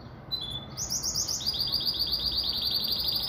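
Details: A pintagol, a hybrid of a siskin and a female Belgian canary, sings a brief thin whistle, then a fast, bright, high trill of repeated ringing notes, about four per second, over a faint low hum.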